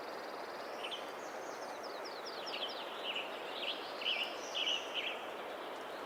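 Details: Western tanager (Piranga ludoviciana) sings short, hoarse, robin-like phrases in the canopy of old-growth redcedar at Ross Creek Cedars, Montana, on a misty, humid late-May morning after heavy night rain, with raindrops dripping from the canopy.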